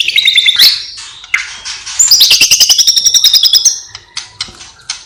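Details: White-rumped shama singing loudly with copied calls of other birds, opening with warbled notes, then a rapid series of sharp repeated chips about four per second over a sustained high whistled line, ending in scattered short notes.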